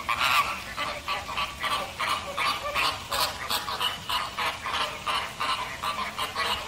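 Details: American flamingos honking in a rapid, rhythmic series of short nasal notes, roughly two or three per second, several birds overlapping in a busy chorus.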